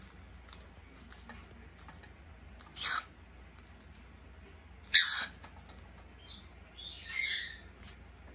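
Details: Two pet male cockatiels fighting indoors, one spreading his wings and fighting back; three loud, harsh, hissing screech bursts about two seconds apart, with faint tapping and scuffling between them in a quiet room.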